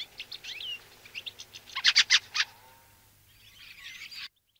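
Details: Fieldfare calling: thin squeaky notes build to a loud run of four harsh chack notes, followed by a softer hissing chatter that cuts off.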